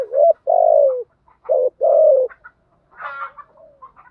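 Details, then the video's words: Spotted dove coos for exciting captive decoy birds to call: two pairs of short-then-long hoarse falling coos, followed by a brief rougher higher burst and soft trailing notes. "Tiếng chim cu gáy mồi giọng lôi cuốn hấp dẫn đủ bài[ THÚC GÙ , GÁY GỌI ] dùng kich bổi nhanh nổi"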